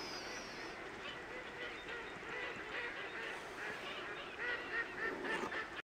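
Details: A flock of Baikal teal at Harasaki pond on 30 December 2010 keeps up a steady, overlapping chatter of low clucking notes, several calls a second, with a few higher nasal notes near the end.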